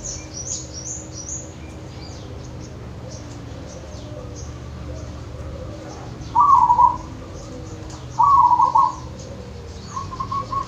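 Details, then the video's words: Wild zebra dove of the local type from Wonogiri, repeating short trilled coo phrases roughly every two seconds, three in all, after a stretch of faint high chirps from other birds. "Suara perkutut lokal dari alam Wonogiri"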